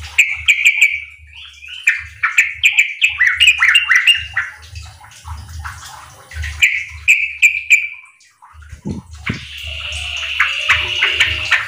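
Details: Lively Sooty-headed bulbul song played as a lure for untrained caged birds kept in a group, aimed at quick riwik and ropel singing. Quick runs of bright chirping notes repeat in phrases, ending in a splashy, rushing sound.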